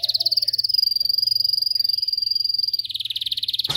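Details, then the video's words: Canary song played to train canaries to sing: a fast, even rolling trill of high, ringing notes held for nearly three seconds, then dropping slightly lower into a quicker trill that breaks off sharply at the end. "Canary training 0.25 Hour canario canary song"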